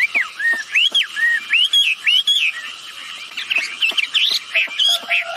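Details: Wambi birds, female and male, in lively calling used as a lure to make other birds answer. A run of rising-falling whistled arcs repeats roughly every half second, then breaks into quicker, jumbled, chirping notes.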